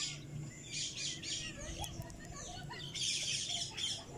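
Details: Pet cockatiel parrot giving a string of shrill, scratchy chirps in uneven bursts, with louder screechy phrases near the start and end.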